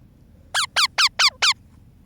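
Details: Baby parrot feeling cold, giving five short squeaky calls in quick succession, each a bright harsh note falling slightly in pitch, spaced about a quarter second apart, in a quiet room.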